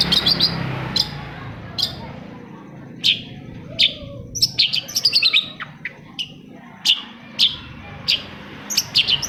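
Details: Long-tailed shrike singing to spur quiet shrikes into song: scattered sharp high chirps that break into rapid clusters of quick notes, with gaps between, over a faint background hiss.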